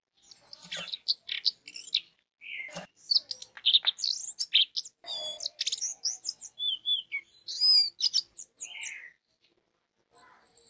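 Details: Orange-headed thrush lure song to make other orange-headed thrushes sing: long, busy, varied medley of sharp chirps, squeaks, slurred whistles and trills, nearly continuous for about nine seconds before trailing off.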